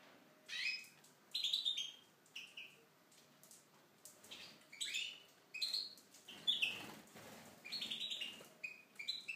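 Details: Tunisian goldfinch singing in an aviary: bursts of bright, twittering, high-pitched notes and short slurred trills, with phrases repeating roughly every second over a quiet background.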